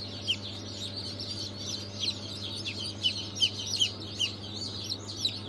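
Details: Newly hatched chicks of Brahma, Fayoumi, Australorp and Legbar breeds, hatched 3 March 2023, peep in high, short chirps, several callers overlapping, over a steady low machine hum.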